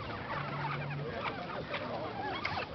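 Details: Chachalacas feeding in El Ávila National Park, Caracas, Venezuela, on 25 September 2011, calling over one another in harsh, overlapping, raucous notes over a low steady hum.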